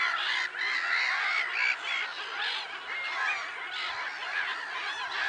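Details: Black-headed gull chorus at Lake Sarymsak, Pavlodar region, Kazakhstan, on 10 April 2011: many harsh, overlapping calls forming a continuous dense clamour, with no pauses.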